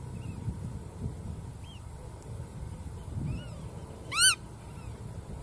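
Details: Black-tailed godwit giving one loud, sharp, nasal call with a quick rise and fall near the four-second mark, preceded by a few fainter, similar short calls, over a steady low rumble.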